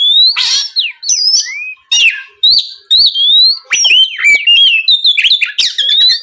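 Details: Lure song of an Oriental magpie-robin meant to provoke a rival: clear whistled notes swooping up and down mixed with rasping buzzes and sharp chips, delivered rapidly and almost without pause.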